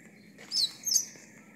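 Double-collared seedeater giving two quick, very high, sharp song notes about a third of a second apart, over a faint steady background hum.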